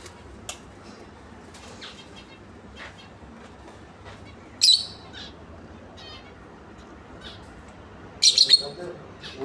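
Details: A pair of lovebirds gives two short, shrill, high-pitched squawking bursts, one near the middle and one near the end, with faint chirps between them over a steady low background hum.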